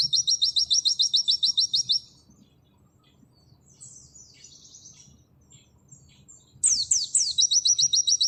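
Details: Pleci auri, an Oriental white-eye, in 'nembak' song: a two-second burst of rapid high chips, a pause filled with soft thin twittering, then sweeping downslurs and the fast repeated series again.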